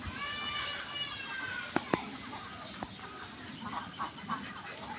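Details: Duck calling in a nasal, harmonic-rich voice: a long drawn call opens the recording, followed by shorter broken calls and a few sharp clicks or knocks near the middle, over a steady background hiss.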